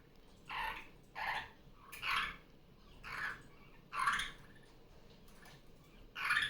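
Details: Indoor pet superb parrot, a female just off her nest, calling at morning playtime: a steady series of seven short, harsh, mid-pitched squawks roughly one per second, with low room hum beneath.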